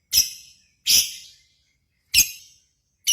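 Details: Lovebird lure for contest singing: four loud, harsh, high chips, each trailing off quickly, spaced about a second apart.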